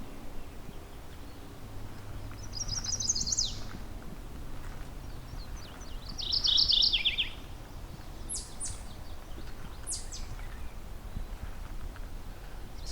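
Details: Mourning warbler at a forest edge beside a cleared dirt field by a road in Halton Regional Forest, southern Ontario, singing twice: a short burst of rolling, repeated churry notes dropping lower at the end; chestnut-sided warbler nearby, thin high notes and road rumble follow.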